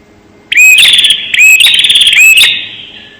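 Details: Bar-winged prinia call used as a lure, very clear: two loud bursts of harsh, buzzy chirping, each opening with a rising note and ending in a fading trill.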